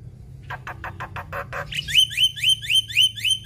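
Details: Black-winged myna (jalak putih) in full 'gacor' song with mimicked 'isian' phrases: about seven rapid buzzy notes, then a run of bright rising whistles repeated about four times a second, over a low steady hum.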